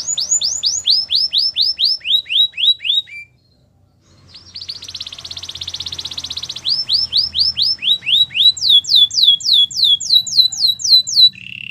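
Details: Belgian canary singing for training: repeated downward-swept whistles at about four per second, a short gap, a dense buzzy trill, then rising into long runs of high descending sweeps.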